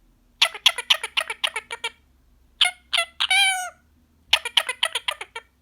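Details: Relaxed male Indian ringneck parakeet, green pied pet, talking nonstop: rapid strings of short clipped syllables like tickle tickle, a drawn-out quavering phrase in the middle, then another fast clipped run.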